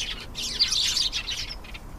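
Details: A short burst of canary song: a quick, high rolling trill of tightly packed chirps.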